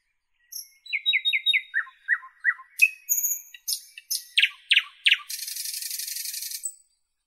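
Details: Song of a Northern European nightingale: thin high whistles, a quick series of repeated descending notes, loud whipping down-slurs, then a long harsh buzzing rattle before ending on a faint whistle.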